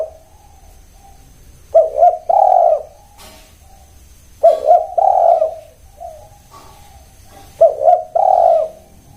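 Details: Three repeated cooing phrases from a spotted dove, roughly every three seconds. Each is two short clipped notes leading into a longer, warm, throaty coo, with faint low coos between.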